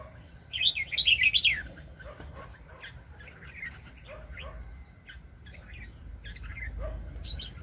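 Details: Wild red-whiskered bulbul, very fired up, recorded while being trapped in 2020. One loud, rapid, chattering warble is followed by scattered faint chirps and short whistles amid low rumbling background noise.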